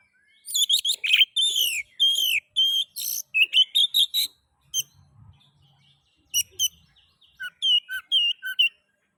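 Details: Oriental magpie-robin (kacer) song used to encourage other magpie-robins to sing: long rapid medley of sharp chirps and short whistles, a pause, then further varied chirps and falling notes.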